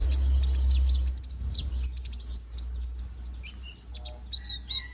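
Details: Konin bird, a bald young bird growing its feathers, singing actively: rapid high chirps and short whistled notes in dense bursts, fading into sparser sliding tweets, over a steady low hum.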